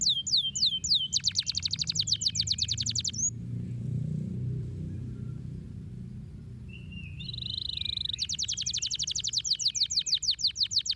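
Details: Canary song meant to stimulate lazy canaries to sing. A quick, high trill starts, then a few seconds of near silence with faint background hum. A short whistle leads into another rolling trill.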